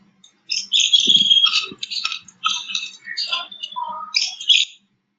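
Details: Rose-ringed parakeet in the Indian jungle giving a rapid run of shrill, harsh screeching notes, several bursts in about four seconds, with a faint low hum underneath.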